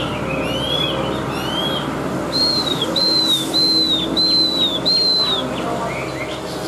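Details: Chinese hwamei with white wings and white tail, singing high: a few rising whistles, then a series of clear arched whistled notes repeated about once a second, set against a steady hum of background noise.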